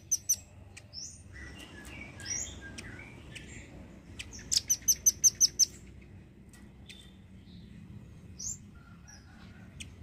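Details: Singing hard, a velvet-fronted nuthatch kept as a tutor for songbirds mixes scattered thin chips and short slurred notes with one crisp trill of about seven high, evenly repeated notes.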